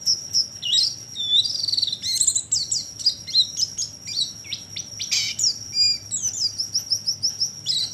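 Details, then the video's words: Lure recording of oriental white-eye calls meant to attract birds, packed with fast, sharp high chirps and brief slurred whistles, some in quick stuttering bursts, over a constant thin high-pitched tone. "Pancingan burung pleci ampuh"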